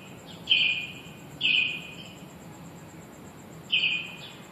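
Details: Shop-nesting finches caught on a phone: three short, high, level chirps, two close together and one after a pause, each ringing briefly in the room over a low background hum.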